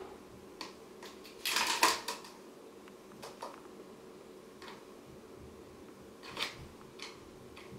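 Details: Indoor clattering and scraping, with scattered knocks and one louder rattling burst, and no animal voice.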